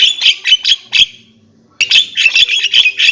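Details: Javan myna song in two bursts of harsh, buzzy squawking notes with a gap between, rapid and irregular, bright and high.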